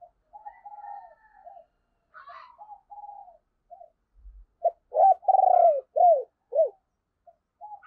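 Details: Decoy spotted dove with a deep thunder-like voice, calling to draw in wild doves. Soft, quieter coos run through the first half, then a loud phrase follows: short notes, one long swelling coo, and two clipped closing coos.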